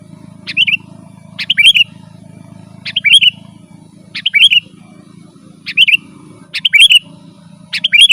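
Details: Sooty-headed bulbul song for calling wild birds out of the forest and for training caged birds: a sharp high note dropping into a short warbled chirp, repeated about every second, over a soft low drone.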